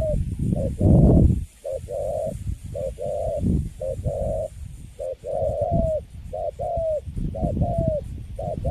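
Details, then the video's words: Spotted dove of the Cấn Sấm type, a wild-caught cage bird whose cooing is described as quite good, gives a long series of paired coos, a brief note followed by a drawn-out slightly falling one, amid low rumbling noise and a loud thump. "Thổ tơ Cấn Sấm, Bắt về cho vô lòng là đứng im ru. Nước Gù khá là Tốt."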